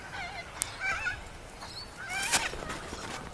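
Sulphur-crested cockatoo giving two short bursts of wavering, nasal squawks about a second apart, broken by a few sharp clicks.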